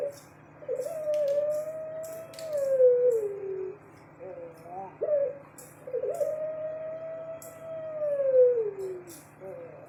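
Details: A caged Barbary dove, puter pelung type, delivers two long sustained coos about five seconds apart, each sliding down at the end, with short notes between, faint rustling clicks and a low hum.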